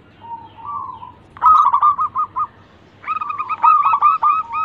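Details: Local zebra dove (perkutut), a lure bird to prompt others to sing: soft low coo, then bursts of quick staccato cooing notes with a slight buzzy edge, repeated in two phrases.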